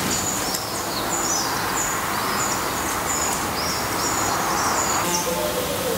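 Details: Black redstart at a nest in Portugal, filmed in daily sessions until the young fledge: high, thin, downslurred chips repeated rapidly about four times a second over a steady hiss, with a brief lower whistled phrase near the end.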